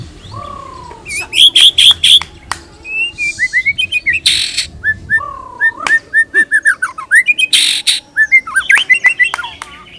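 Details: Varied shama song for training other birds, mixing descending whistles, rapid buzzy trills and sharp high notes in quick irregular succession, with faint low background hum.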